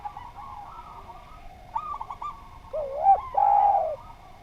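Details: Spotted dove (derkuku) singing lively on a training recording for other birds; faint quavering coos give way to a louder rising-then-falling cooing phrase near the end, with a steady faint tone behind.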